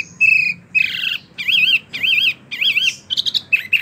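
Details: Captive mini wambi singing in the rolling 'ngerol' style: a sequence of clear high wavering whistled phrases, each about half a second long, repeated in quick succession, ending with short sharp chirps.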